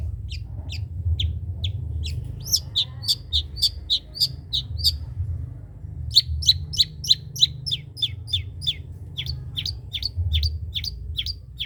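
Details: Spotted (trotol) long-tailed shrike used as a tutor voice for other birds to learn from: rapid high chips and short downslurred notes in two bursts, the second quicker after a brief pause, over a constant low hum.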